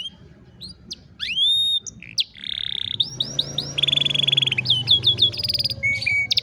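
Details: Afternoon song of an old pet canary, with looping whistled upswept notes, a steady held tone, then long rolling trills of rapid repeated syllables, over a soft low hum.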